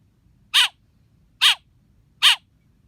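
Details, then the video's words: Young black bird begging with three loud, coarse, rasping chirps spaced a little under a second apart, each brief and strongly buzzy, with quiet low rumble between them. "Baby black bird chirping"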